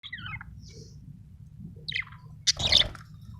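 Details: Happy budgerigar chirping: a short falling warble at the start, faint high notes, then a louder burst of harsh chirps near the end over a low background hum.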